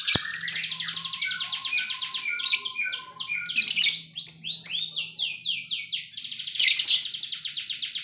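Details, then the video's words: Canary singing a very sharp, intense song: dense rolling trills and rapid repeated sweeping notes, loud and continuous for eight seconds, with a faint low hum beneath. "TEMBAKAN KENARI SUPER TAJAM"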